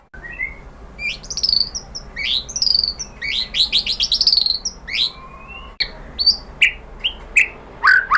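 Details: White-rumped shama song used as a lure for other shamas: sharp high slurred notes in rapid clusters, a pause, then spaced emphatic upslurred notes.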